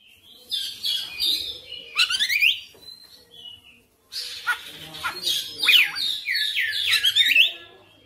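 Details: Oriental magpie-robin singing its full repertoire: varied whistles and downslurred notes, a pause near the middle, then a rapid sequence of sweeping, twisting phrases.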